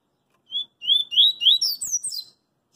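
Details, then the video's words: Double-collared seedeater singing the coringa song style in the street: a short whistled note, then three rising slurred whistles, then a rapid run of higher, descending notes. The phrase lasts under two seconds in otherwise quiet surroundings. "CoLEiro CoringA cantando na Rua"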